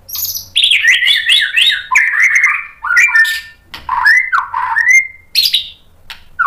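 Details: Lure song of a White-rumped shama intended to provoke a response: continuous, rich warbling made of quick whistled and buzzy notes that shift constantly in pitch.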